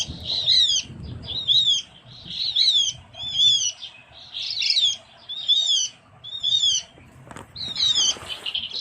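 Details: Recorded as lure audio, a Javan grey-throated white-eye from Java's forests gives about nine evenly paced bursts of shrill, down-slurred chirps roughly one per second, with faint low noise beneath.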